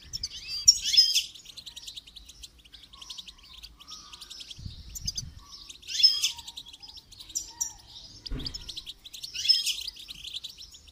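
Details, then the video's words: Goldfinch training its song: sustained high twittering with periodic louder tinkling bursts about every three seconds, plus brief low knocks. "Motivational rewards for training goldfinch to song"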